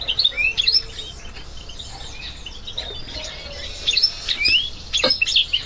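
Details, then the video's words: Goldfinch mule in February 2011, with scattered high twitters, rising whistled slurs and brief chattering notes, spaced irregularly, plus a few clicks. "Goldfinch mule"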